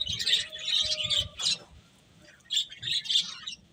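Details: Feeding finches chirp in two busy high-pitched bursts split by a quiet gap of about a second, a faint steady lower tone audible early on.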